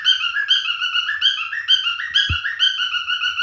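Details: Male cockatiel singing: a fast run of clear whistled notes, each slurring up and down, repeated about twice a second, with one soft thump partway through.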